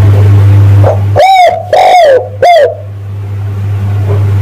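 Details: Spotted dove lure call used to attract males: one three-note cooing phrase, the middle note longest and gently arched, all mellow and mid-pitched, over a steady low electrical hum.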